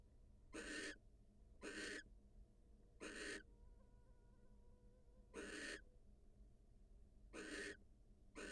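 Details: Wild female barn owl leaving the nest to greet her mate; five harsh, breathy screeches, each about a third of a second, spaced irregularly one to two seconds apart, with a faint low hum behind.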